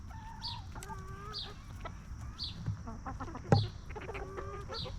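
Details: Backyard free-range chickens roaming and snacking peacefully; drawn-out tonal clucking notes repeating about every second, a sharp click midway, and a faint continuous high-pitched tone behind them.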